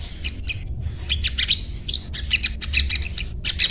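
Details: Spiderhunter (sogon, sogok ontong), daily singing, delivering a dense run of sharp, high chirps and short squeaky notes in quick bursts, with brief gaps, over a steady low background hum.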